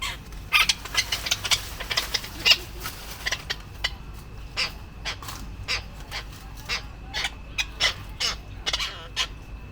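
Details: Male tropicbirds fighting and chasing each other to defend mate and nesting area give harsh, shrill, rasping screeches in quick bursts, several per second at first, then more spaced, over a low background hiss.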